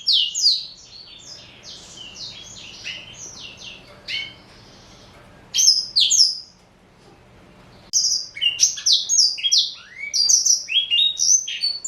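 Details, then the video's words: Caged four-year-old male black-throated canary, Somerini x Botswana cross, singing in spurts: an opening run of quick falling whistles, brief isolated phrases, a silence, then a dense final stretch of high slurred notes. "Kicau Merdu BLACKTRHOAT"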